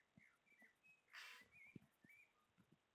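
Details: Tui mating call from a pair showing off to each other in a backyard, recorded on a tablet: thin whistled notes and slurred chirps, a loud harsh wheezy burst early on, and several low knocking clicks.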